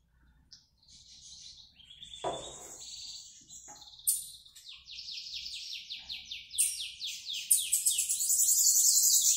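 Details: Bananaquit (sibite) coming out of moult and singing well: high, thin, sibilant notes run into a fast, buzzy repeated trill that grows louder toward the end. A brief broadband noise burst comes early on.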